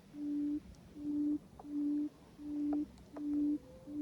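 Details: Quail in Cambodia, called with a decoy quail: low, steady hooting notes, each about half a second, repeated roughly every 0.7 seconds, with faint clicks between.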